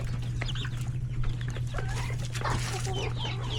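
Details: Coop of chickens, roosters and chicks during a hectic lunchtime; scattered clucks and short high chick peeps amid pecking and scratching noises, with a steady low hum underneath.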